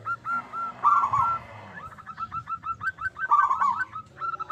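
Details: A loud-voiced local zebra dove, used as a lure to prompt others to sing, gives rapid clipped coo notes in chains, interrupted twice by rolling vibrato phrases.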